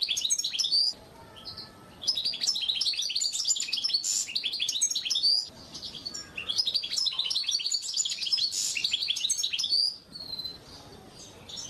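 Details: Masteran of an Oriental white-eye: bursts of rapid, high-pitched twittering a few seconds long, separated by short quieter gaps, with thin whistled upslurs scattered through.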